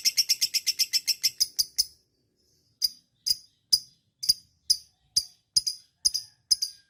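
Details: Lovebird ngekek panjang chatter, played to encourage other lovebirds to sing: a quick run of shrill, high chirps, a short silence, then single sharp chirps spaced about half a second apart.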